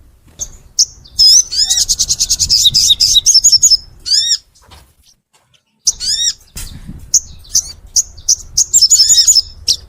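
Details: Energetic full song of a crimson sunbird (sogon), recorded clearly for training other sunbirds. A fast rattling trill of high ticks, a silent stretch, then sharp rising whistles and quick chirping notes.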